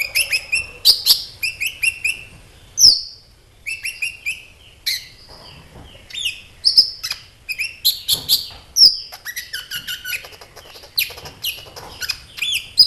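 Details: Extended sunbird song meant to make caged sunbirds respond: continuous bouts of rapid high chirps and buzzy, sweeping notes, with short gaps and dozens of sharp accents.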